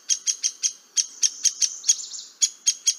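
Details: Downy woodpecker (Dryobates pubescens) call: a quick series of sharp, high-pitched notes, about four per second, with a brief blurred run midway; a cavity nester in Florida.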